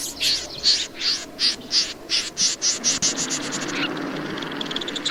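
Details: Snipe uttering repeated rasping notes, roughly two or three per second, coarse and dry, before fading into a softer, rapid ticking chatter.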